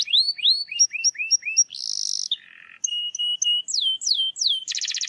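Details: Canary singing, played to stir a quiet canary: paired rising chirps, a buzzy roll, a low soft buzz, clear repeated pips, sweeping downslurred whistles and a final rapid trill.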